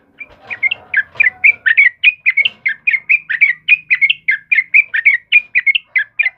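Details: Energetic yellow-vented bulbul (kebo type) song for luring and tutoring caged birds, a steady stream of short, bright, bubbly chirped phrases repeated about twice a second, with faint low background rumble early on.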